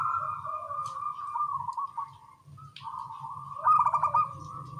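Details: Zebra doves of a local strain in a morning duet: long, soft, continuous purring coos with a dip midway, then a louder stuttered trill near the end, over low background rumble.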